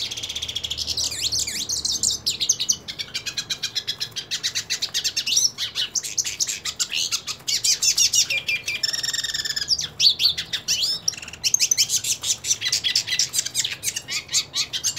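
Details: Pure-bred hooded siskin singing while wanting to fight another hooded siskin: a fast, continuous, high-pitched twittering warble of rapid chirps, trills and sweeping whistled notes, with brief buzzy rattles and short pauses, almost no background noise.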